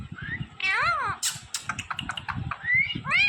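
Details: Pet green parrot mimicking human speech: an arched, nasal syllable, then clicks and scratchy noises, and a closing rising squeal, with a low murmur of people underneath.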